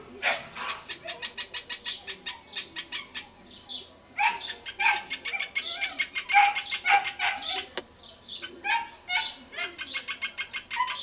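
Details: Rufous hornero at a tree near a house on a small rural property: a run of rapid, clipped repeated notes, then louder, uneven harsh calls, then another quick stuttering series of notes.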